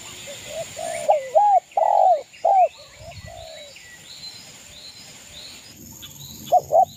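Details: Zebra dove, a local East Java bird, singing a lively song meant to provoke rivals: a burst of four loud, rounded cooing notes, then quiet, with faint high chirps of other birds and a steady high hiss behind.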